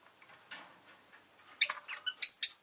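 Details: Rosy-faced lovebird's bright, piercing chirps come in a quick cluster of four after a quiet, softly rustling opening.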